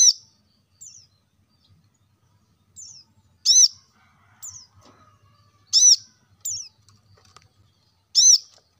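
Plain-throated sunbird giving sharp, high, ringing chirps in short bursts, a strong note roughly every two to three seconds with softer twitters between.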